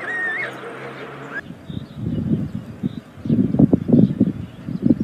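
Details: On a chimney nest in Ságvár, Hungary, amid meadows and wetlands, white storks filmed by a live camera on day 36 in 2024; a brief whistle opens, then loud, dense, low wooden rattling pulses build in repeated bursts.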